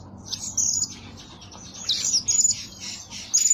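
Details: Lure bird, a blue-crowned hanging parrot that calls by day and night, giving sharp, very high squeaky chirps in quick clusters, several loud bursts separated by brief pauses, with a soft low hum beneath.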